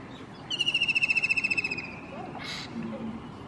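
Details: White-throated kingfisher singing from a roof: a loud, shrill whinnying trill about 1.5 seconds long, rapid pulsed notes slowly falling in pitch and fading, followed by a brief burst of noise and faint background sounds.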